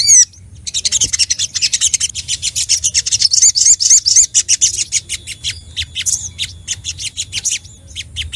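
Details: Rival-seeking song of a crimson sunbird: a long, rapid series of thin, very high chips, almost four a second, with a short run of upslurred whistles inside the stream.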